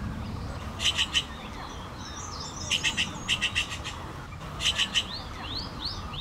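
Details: Common green magpie giving loud, harsh clicking notes in tight bursts of three, repeated several times, over a quieter background of small chirping birds and low rumble.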